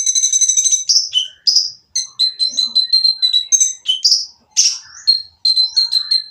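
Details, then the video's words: Harsh oriental magpie-robin song meant to trigger other birds into singing: opens with a rapid rattling trill, then a fast mix of high whistled notes, sharp falling rasps and buzzy slurs with hardly a pause. "konin yang diam malas bunyi akan nyaut jadi gacor setelah mendengar suara konin berisik ini !!"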